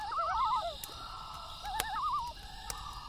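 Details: At night, a loon gives two bursts of a quavering, laughing tremolo, one after the other, while a campfire crackles and pops about once a second.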